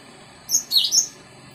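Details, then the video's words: Short Java sparrow song fragment of high, bright notes: a piping whistle, a quick downward-sliding chirp, and a final thin whistle in quick succession, with a soft constant hiss behind. "Burung Master Gelatik Jawa Full"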